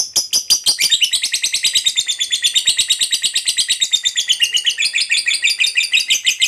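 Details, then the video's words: Fighter lovebird in long ngekek chattering song, meant to prompt other lovebirds to sing: an unbroken, very rapid stream of scratchy high notes that sweeps slightly in pitch, steady and loud for over six seconds. "Suara Burung Lovebird DURASI PANJANG, TERBUKTI Paling Cocok Buat Pancingan Labet Agar Cepat Ngekek"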